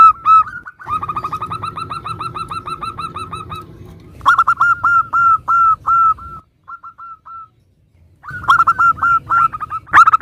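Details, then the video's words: Local zebra dove song for coaxing other doves to answer: fast series of clipped, bright notes, a long rapid run, then a pause, a few isolated notes, and another quick burst. "Perkutut lokal gacor suara bermacam - macam Nutut kompilasi ini ampuh untuk Pancingan Cepat NYAUT"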